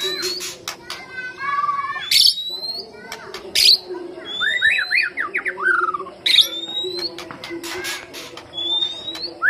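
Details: White-rumped shama lure song: rich, fast phrases mixing high thin whistles, a run of rapid down-slurred notes, and sliding warbles, with loud clicks and a constant low hum underneath.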